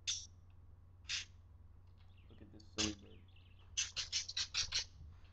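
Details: A parakeet described as horny gives sharp, high chirps, a few spaced singly, then a quick run of about seven scratchy notes, over a low steady hum.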